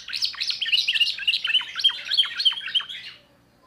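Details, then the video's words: A young 2024 timbrado canary sings a new repertoire: a rapid, rolling chain of bright descending notes lasting about three seconds, then it falls silent. "le meilleur chant de canari I chant canari timbrado un jeune de2024"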